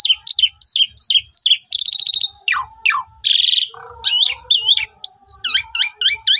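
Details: Asian pied starling song as a singing lure for mute starlings, recorded by phone: a run of quick repeated bent chirps, a loud rattling buzz, falling whistles, a harsh hissing burst, then looping whistled notes.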